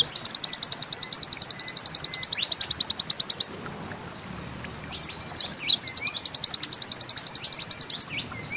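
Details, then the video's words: White-eye of the Bustomi pleci type delivering its 'nembak ziperrr' song: two long, evenly paced trills of sharp, high chips, the second opened by a few swooping whistled notes, with a short pause between. "Bustomi NEmbak Ziperrr Mudah DI Tiru"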